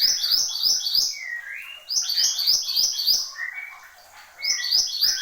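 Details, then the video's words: Horsfield's babbler calling persistently, with clustered series of sharp, stepped high notes broken by a long rising whistle and a lower drawn-out whistled slur, the rhythmic note groups returning several times. "SUARA BURUNG MANTENAN GUNUNG GACOR"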